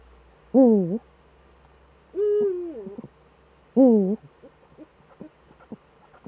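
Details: Eurasian eagle-owl pair back at their site in the Eifel, Germany, on 11 March 2013 at 18:47: three harmonic, wavering calls, the first and third dipping then rising, the middle one falling, with faint clicks and murmurs after.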